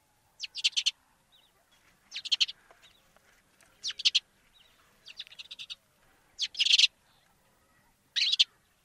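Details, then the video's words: Bursts of rapid, rattling chirps from a sparrow in Africa, each burst a fast stutter of short notes lasting under half a second, repeated roughly every one to two seconds. "Воробей. Африка. Голоса птиц"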